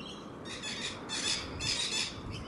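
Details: Wild rainbow lorikeets playing on the grass; harsh, broadband screeches in three drawn-out bursts about half a second each, loud and raspy, over a steady low background rumble.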